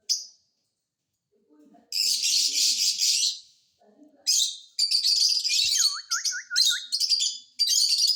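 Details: Caged green ring parrot making raspy, noisy squawks with brief low speech-like murmurs between them, then a quick series of rising whistled swoops repeated several times amid continuing harsh chatter.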